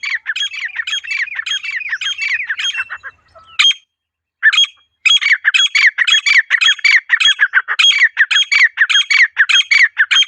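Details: Female partridge in its natural call: rapid harsh squawking notes, about 100 a minute, broken by a short pause before the series resumes.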